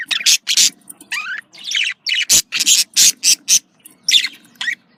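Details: Pet budgerigars, female and male, giving breeding-stimulation calls: loud rapid chirps and harsh squawky notes in quick succession, mixed with rising chirps and busy chattering warble.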